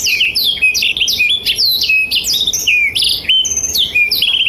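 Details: Lively blackthroat song meant for training canaries, both juvenile and adult: fast, high chirps and slurred whistles tumbling one after another, ending in a short dry trill.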